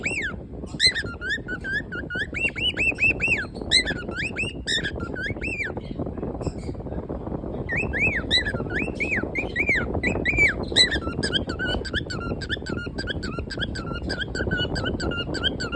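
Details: A happy cockatiel gives bright, rising and falling whistled chirps in quick bursts over a low background hum.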